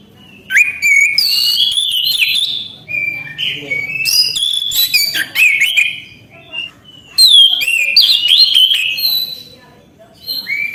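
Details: Orange-headed thrush (anis kembang) singing steadily: loud whistled phrases with sliding, warbling notes and sharp high flourishes, in bursts separated by short pauses, with a faint low hum behind.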